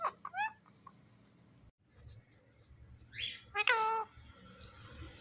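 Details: Pet Indian ringneck talking parrot giving a few short wavering calls at the start, then a loud drawn-out harmonic, speech-like utterance near the end, over a quiet room hum.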